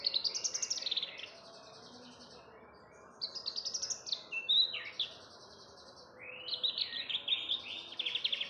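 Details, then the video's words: {'text': 'Javan bush lark singing as a lure to start other birds singing: rapid buzzy, stuttering trills and slurred whistles in phrases separated by short pauses, with constant low-pitched background noise.'} "branjangan buat pancingan burung ombyokan"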